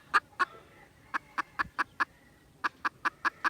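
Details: Junglefowl, 16 December 2021, uttering spaced, punchy clucks in short groups with gaps between them over faint background noise.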